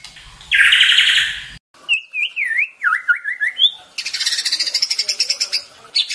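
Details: White-rumped shama (murai batu) in a long morning training recording: a harsh buzzy burst, then a winding up-and-down whistled phrase, followed by fast rattling high notes.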